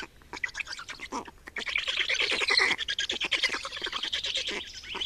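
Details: Estonian black storks at the nest on 28 May 2019, filmed while the adults swap duty and feed: rising run of raspy, squeaky chirps that swells into a continuous wheezy, hissing chatter.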